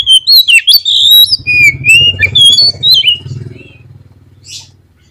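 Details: Lure song of a white-rumped shama used to make a bird sing: quick whistled and slurred notes for about three seconds, then fading, over a low engine-like rumble.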